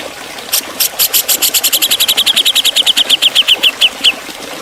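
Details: A cucak jenggot from Java sings its sharp 'ngepik beset' training song. A rapid rattle of around twenty-five clipped downslurred notes speeds up, then slows and spaces out toward the end.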